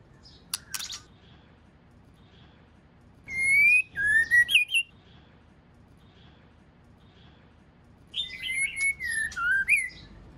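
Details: Female white-rumped shama giving its male-stimulating call. A click comes early, then two whistled phrases about four seconds apart. Each phrase is a burst of five or six pure, slurred notes with rising and falling turns.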